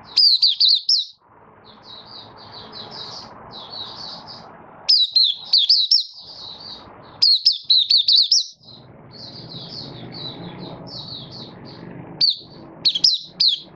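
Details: Malaysian oriental white-eye, caged, in minor moult and building form, recorded 24 August 2023. Loud bursts of high, zigzagging whistles recur every few seconds, alternating with softer, steady twittering over low room noise.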